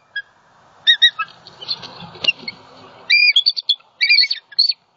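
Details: Bald eagle pair at a Southwest Florida nest on 28 December 2020, just after a great horned owl struck the male. Early thin whistles, then a rough rustling crash as the male hits branches, followed by loud high squealing whistled calls in broken bursts.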